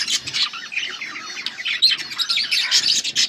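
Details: Two budgies keep up a continuous, rapid chatter of buzzy warbles and squeaky chirps, with sharp louder notes standing out near the end.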